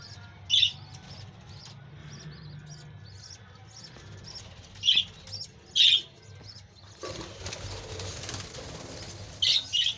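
Budgerigar giving short, bright chirps in scattered bursts over a steady background hiss.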